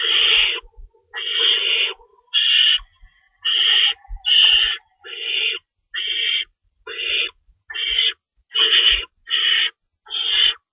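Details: Nest owls at feeding time before dawn, 3:53 AM, March 25, 2012, two rabbits stocked nearby: a long run of about twelve rasping hiss-screeches, rapid and uneven, each roughly half a second long.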